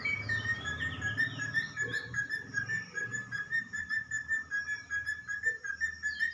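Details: Pet talking parrot singing: a steady run of clear whistled notes held at one pitch, pulsing about two to three times per second, over low murmuring background noise and faint higher whistles.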